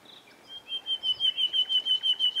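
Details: In spring shrubbery, a common nightingale delivers a long pulsing trill, a high note throbbing in quick regular beats that grow louder over two seconds, recorded on 27 April 2021.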